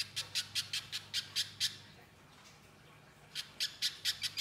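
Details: Little spiderhunter (pijantung pisang) singing vigorously, used as a tutor recording for cage birds: two bursts of rapid, sharp, high chipping notes, about six per second, separated by a pause of nearly two seconds, with a faint low hum behind.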